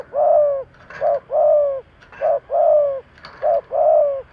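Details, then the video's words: Captive spotted dove used as a decoy, cooing loudly and regularly: a short coo then a longer sliding coo, the two-part phrase repeated about every 1.2 seconds, four times, faint clicks between. "Cu gáy thúc gáy kích bổi tập mồi cực nhạy"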